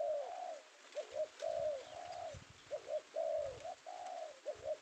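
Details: Indonesian male spotted dove with the penguku voice favoured by bird-trappers, secured in the afternoon; steady cooing phrases alternating clipped double notes and long smooth falling coos, about four phrases in under five seconds.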